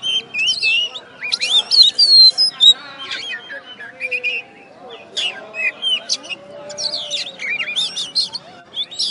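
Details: Oriental magpie-robin, a caged first-place contest winner from West Kalimantan, after the contest: long bursts of quick whistles, chips and warbles, pausing briefly near the middle before resuming with rapid varied phrases.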